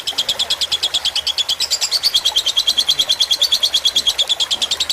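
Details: Tutor song of a fighter lovebird, with splashing water meant to calm the listening birds: fast rhythmic high-pitched ticking notes, about three a second, unbroken throughout, soft water noise underneath.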